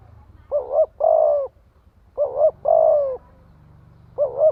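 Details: Spotted dove decoy calling to lure others. Each phrase is a brief wavering double note and then a longer descending coo, repeated about every one and a half seconds over a low rumbling hum.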